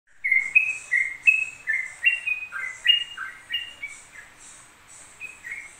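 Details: Yellow-vented bulbul singing in ropel style, a nonstop run: bright whistled notes, each stepping up or down, about one to two per second, with softer thin overtones above and a quieter stretch near the end.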